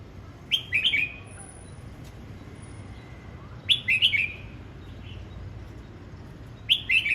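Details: Red-whiskered bulbul practising its voice, repeating a short lively warbled phrase about every three seconds, three phrases in all, with a faint thin high whistle between them.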